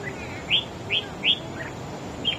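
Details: Red-whiskered bulbul, a wild-caught bird singing in competition against another bird: four bright, slurred notes rising and falling, spaced about half a second apart, with a fainter note near the end, over steady low background hiss.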